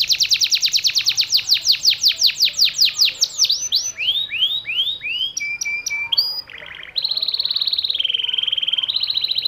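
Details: Konslet song of a yellow canary: a fast, even trill of sweeping notes, then slower looping whistles and short chips, ending in a long, steady, buzzy rattle.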